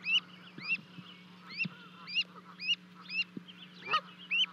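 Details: At Charlo, Montana, 12 May 2020, two Canada goose goslings leave a 30-foot-high osprey nest to join their parents; loud, sharply upslurred peeps roughly every half second, with a few clicks and a steady hum beneath.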